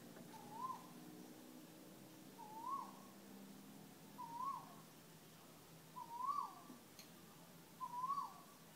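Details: Unidentified bird in Thailand that calls without stopping; a mellow whistled note rising then dropping away, repeated about every two seconds at a steady pace.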